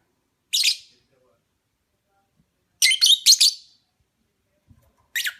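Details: Opaline parblue lovebird chirping, giving sharp, high, buzzy chirps: one short burst, then a rapid cluster of three or four harsh notes, then another single chirp near the end, with quiet gaps between.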